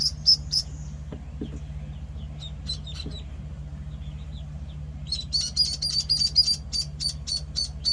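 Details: Penciled call ducklings, one week old, giving high, thin peeps. A few come early, then a fast run of sharp repeated peeps near the end, over a steady low mechanical hum.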